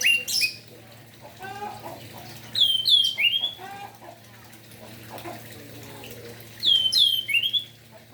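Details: Orange-headed thrush singing in the morning, kept as a songbird and played to stimulate other orange-headed thrushes to sing; two bursts of bright, varied whistled phrases with sharp sweeps, separated by quiet gaps, over a low steady hum.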